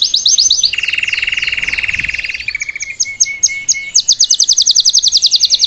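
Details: Salsa canary singing to teach a young bird: fast high trills of repeated notes, shifting to a lower steady buzzy roll, then spaced whistled notes and a quick rapid trill at the end.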